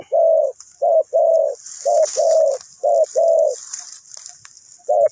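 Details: Spotted dove kept as a trapping decoy, Ninh Thuận: rich, low coo pairs, short note followed by a drawn-out croon, repeated several times, over rustling and hissy background noise with a pause before a final coo.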